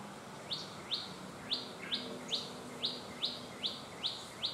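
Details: A cit kemade bird in its natural habitat gives sharp, high chips, each dropping quickly in pitch, about two or three per second, over a low steady background hum.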